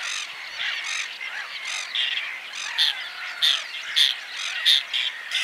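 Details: Whiskered tern calls: harsh, rasping squawks overlapping from several birds, coming in uneven bursts about every half second, with louder grating notes near the end and a steady background din of more calling birds.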